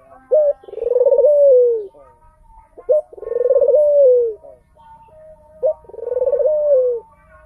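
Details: Three rhythmic calls from a crested, blotched tangerine ring-necked dove, about 2.5 seconds apart, each a quick clipped note leading into a rolling, throaty coo that slides downward at the finish; quiet background otherwise.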